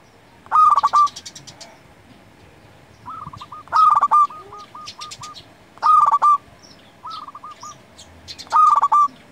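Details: Local zebra dove song meant to lure and tutor other doves: four loud, distorted, bubbling coo phrases roughly two seconds apart, answered between them by fainter runs of short, evenly spaced coos.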